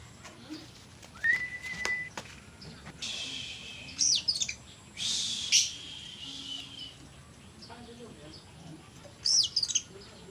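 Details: Oriental magpie-robin (kacer) singing in the gacor konslet dorr style: a thin whistled note early on, then short bright, buzzy phrases with sweeping high notes in bursts near three, four, five and a half and nine and a half seconds, otherwise quiet.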